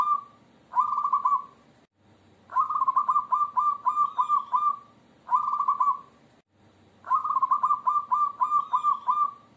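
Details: Zebra dove singing, a local bird: each phrase begins with a sustained coo, then a brisk series of short, bouncing notes, with brief silent gaps between phrases and faint high chirps in the background.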